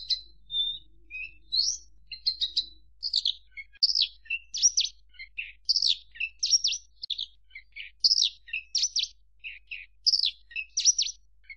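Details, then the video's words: Javan bush lark delivering a long varied song of quick chirps, whistles and sharp downstrokes, grouping phrases that repeat roughly every second; lively, clear, with nothing else audible. "Suara Kicau Burung Branjangan"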